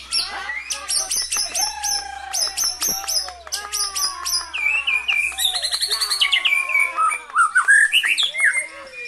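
A white-rumped shama sings a fast, varied medley of loud ringing whistles, sharp chips and rattling trills, phrases tumbling into one another without pause.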